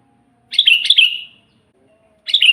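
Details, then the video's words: Sooty-headed bulbul in lively song, an original natural recording used to train captive birds to sing: two short bubbly, slurred phrases of quick rising-and-falling notes, each under a second, in an otherwise quiet background. "suara burung kutilang GACOR asli"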